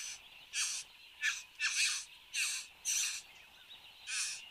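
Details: Displaying satin bowerbird at its bower, Australia, 10 January 2015, early morning, filmed by a webcam: seven harsh, grating bursts, each about a third of a second long, delivered roughly every half second over a soft background drone.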